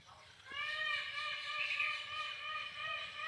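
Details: Indian peafowl (Pavo cristatus), call.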